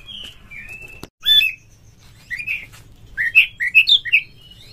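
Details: Oriental magpie-robin (kacer) lure song for mating mood: a faint whistle and a sharp knock, then a run of clear rising and falling whistled notes repeated in quick succession.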